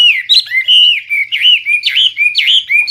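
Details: Hwamei singing loudly and clearly in full song: a continuous run of rich, fluid whistled phrases that swoop up and down, with quick slurred notes linking each phrase.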